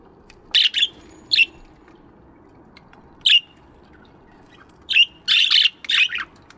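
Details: Aviary budgies chirping in the morning, scattered short harsh chirps, two early, one alone midway, then a cluster of four or five in quick succession near the end.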